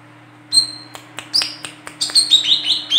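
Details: A female olive-backed sunbird, recorded for use as a lure, gives a single thin high note, scattered clicks, then a rapid rising string of piercing chips and slurred trills, over a faint hum.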